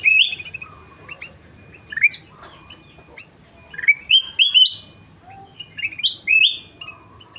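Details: Kutilang emas in lively song, giving loud varied whistled phrases with rising slurs and quick note clusters, separated by short pauses.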